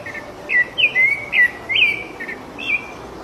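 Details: Wild rufous-bellied thrush in full song: bright whistled notes in quick bursts, some rising, others falling, delivered a few per second with small gaps.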